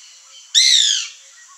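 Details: White woodpecker (Melanerpes candidus) in a backyard with fruit trees gives a single harsh, nasal squawk lasting about half a second, slightly falling in pitch, over a faint background hiss.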